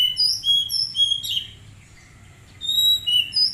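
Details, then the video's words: Magpie-robin in training, singing clear whistled notes held at several pitches, short bright phrases repeated quickly in two bursts separated by a quiet pause, with a faint low hum behind. "Terapi Kacer Bahan Agar Cepat Bunyi"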